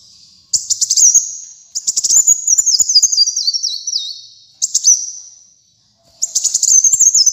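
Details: Kolibri muncang (brown-throated sunbird) in vigorous song for training kept birds: bursts of rapid high chips, a long notched trill stepping downward, then further chipping bursts after a brief silence.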